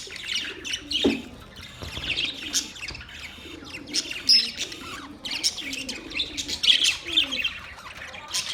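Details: Budgerigars, a group of chattering birds; busy mix of warbled chirps, soft squeaks and short low gurgling notes, with background rustling.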